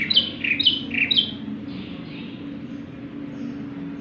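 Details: Bar-winged prinia in full voice, played to lure other birds: three quick two-note chirps in the first second and a half, then fading into a steady low hum.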